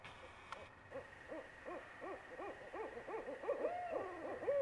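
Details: Two Barred Owls calling: a fast series of short, arched hoots that grows louder and quicker, then breaks into a longer drawn-out, wavering note, with a steady background hum.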